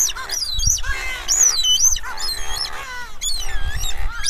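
Streaked shearwaters give overlapping high, squealing calls that arch up and down, several birds at once, over a low steady rumble.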